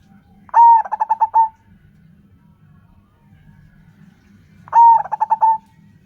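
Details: Local zebra dove, used as a lure to prompt other doves to call. Each phrase opens with a long, clear coo, then a quick run of five stuttering notes. Two phrases about four seconds apart over a faint low rumble.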